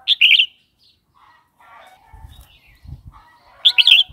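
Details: Red-whiskered bulbul, recorded to be played to new or wild-caught birds and to young ones: a lively warbled phrase opens, soft low rustling fills the middle, and another bubbly phrase closes.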